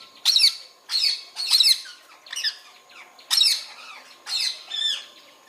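Rose-ringed parakeet giving harsh, grating squawks in short bursts, about one every second, high-pitched and raspy; a faint steady hum runs beneath.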